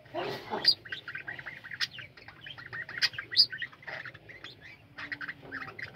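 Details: Colony of captive budgerigars in full chorus, rapid twittering chirps and warbled notes overlapping continuously, with a brief rough squawk at the opening and a few sharp ticks.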